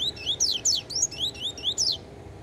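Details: Yellow-bellied seedeater (coleiro baiano), a fast, spirited bird giving a few songs while still feeling the effects of beak moult: a quick run of about ten sharp, high sweeping whistled notes, rising and falling, over a faint low hum.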